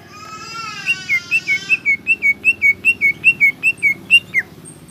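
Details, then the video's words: A greater green leafbird sings energetically. A brief high, wavering whistle opens the passage, then a long even series of about fifteen bright chirped notes follows at a steady pace, ending in a dropping slur. A low rumble runs beneath. "BURUNG CUCAK IJO GROPYOKAN GACOR"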